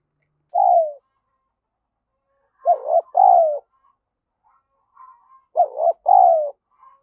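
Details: Spotted dove as a calling decoy, urging and cooing to excite other doves: a single short coo, then two paired coos about three seconds apart, each a short note and a longer falling note, with faint chirps between.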